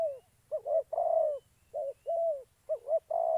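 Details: Decoy spotted dove in trapping, Gia Lai, Vietnam: mellow cooing with quick double notes and long wavering coos, overlapping as if from two birds, closely spaced over three seconds.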